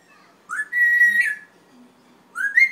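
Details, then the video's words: A red-tailed grey parrot gives a clear whistle that swoops upward and holds a bright, steady note, then starts another rising whistle about two seconds later. "loro yaco de cola roja"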